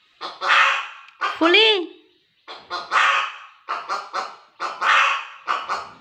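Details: Hen cackling in harsh bursts, long squawks alternating with short clipped notes, with a brief human voice briefly heard early on.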